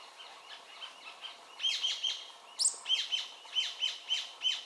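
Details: Rufous-tailed jacamar calling from a perch at BFREE, Belize, on 7 February 2013: a run of short, high, sharp notes repeated about three times a second, with one sudden upward-sweeping squeal midway, over a quiet natural background.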